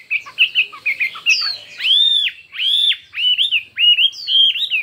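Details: Chinese hwamei competing in song: short clipped chirps at first, then loud, arched whistles that rise and fall, each one pure and ringing, delivered in a steady rhythmic sequence.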